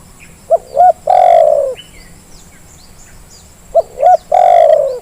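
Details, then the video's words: Spotted dove lure call for coaxing lazy doves into calling. Two identical phrases, each two short rising notes and then a long, smooth, gently descending coo, repeated about three seconds apart. Faint chirps of other birds and a steady hiss. "Suara pancingan terkukur yang malas jadi bunyi"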